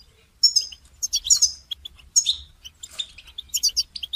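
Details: Song of a goldfinch used to train songbirds: sharp high whistled notes and chattering twitters, delivered in short, irregular phrases after a brief silence at the start.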